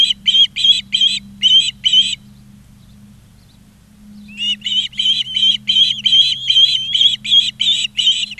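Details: Osprey at a Charlo, Montana nest on 20 August 2023: bursts of strident chirping at about two to three per second, a two-second silence, then a sustained fast run of calls; low hum beneath.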